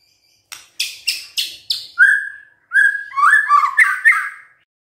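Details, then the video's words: White-rumped shama song: a run of five rapid harsh clicking notes, then a steady whistled note and a tumbling cluster of warbled, rising and falling whistles. "DENGERIN INI MURAI BENGONG LANGSUNG BUNYI GACOR"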